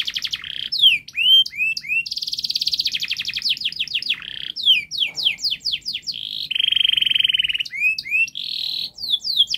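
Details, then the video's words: Canary in long, speedy gacor song intended to get young canaries singing: series of swooping whistles, dense buzzy trills and clipped repeated notes follow without pause, tour after tour, with no other sounds. "Kenari Gacor Panjang Speed Rapat Untuk Pancingan kenari Paud Agar Cepat Gacor"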